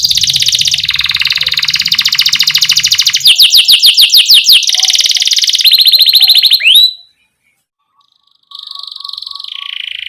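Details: Canary song played to young canaries to get them singing: long buzzy rolls and a burst of rapid chirps, a quick upsweep, brief silence, then a steady high trilled tone.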